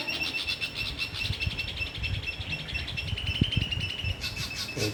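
Dull-blue flycatcher giving a steady, rapid stream of thin, high pulsed notes on a level pitch. A low rumble and faint voices sit beneath it.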